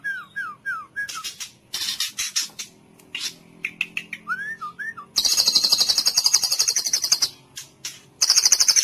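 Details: Song of a white-rumped shama, used as therapy to get mute, listless caged birds singing: a series of curved whistled slurs and chirps, then a loud rapid rattling trill lasting about two seconds, resumed briefly at the end.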